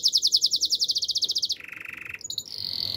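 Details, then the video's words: Canary singing in the wild: a fast run of bright, evenly repeated high notes, about seven per second, drops into a lower buzzing trill, then ends with short piping notes and a steady high whistle. "melodies canary bird sounds in the wild"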